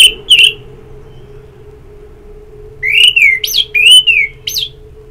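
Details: Orange-headed thrush singing ngeplong phrases meant to encourage singing: two loud whistles, a pause of two seconds, then a string of falling slurred whistles broken by sharp rising notes; a faint steady hum continues.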